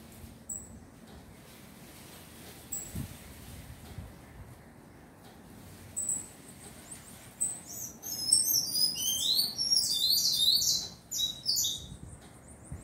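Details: A young tanager (sanhaço chick) gives thin, high squeaky notes, a few isolated at first, then a rapid, insistent burst of chattering squeals for about four seconds over a quiet background.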